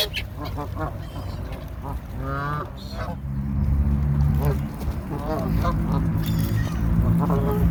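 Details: Hungry Canada Goose calling while eating alongside seagulls: a few nasal, harmonic honks rise and fall in short bursts over a steady low rumble, with shrill gull cries breaking in between.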